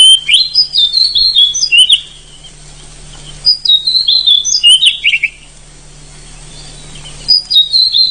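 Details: Loud wild-type Oriental magpie-robin (kacer hutan) singing full, energetic song with long rolls, used as a tutor recording for training caged birds: bursts of clear, varied whistled phrases that slur up and down, separated by pauses, over a steady low hum.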